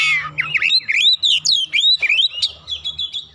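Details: An agitated oriental magpie-robin answers a rival, unloading its varied repertoire. A fast string of sweeping whistles, sharp chips and buzzy notes, sliding up and down in quick succession, with a faint low hum beneath.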